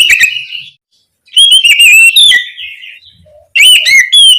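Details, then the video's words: Oriental magpie-robin (kacer) calling its companion with three loud bursts of whistled, slurred notes and rapid chatters, separated by short silences. "Suara Burung Kacer Gacor Memanggil Temannya"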